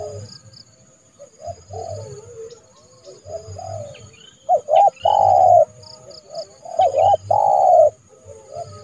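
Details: A trained decoy spotted dove calls in January, luring a rival into the yard to trap it. Soft coos lead to two loud phrases of doubled notes and long rich coos, with scattered faint high chirps from other birds.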